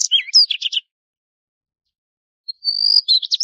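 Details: Daurian redstart, also called northern red-tailed robin, giving a brief high phrase: a thin whistle into quick scratchy twittering notes, a pause of nearly two seconds, then the phrase starts again; no other sounds.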